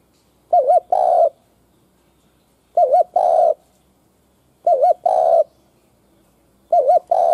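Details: Spotted dove used as a decoy bird to lure wild doves: a loud cooing phrase repeated about every two seconds, each a quick double-warbled coo followed by a longer, fuller coo, with silence between phrases.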